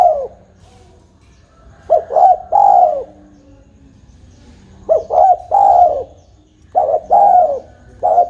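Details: Tame spotted dove calling, low mellow cooing in three-note phrases ending in a longer falling hoot, repeated about every two and a half seconds; quiet low hum beneath.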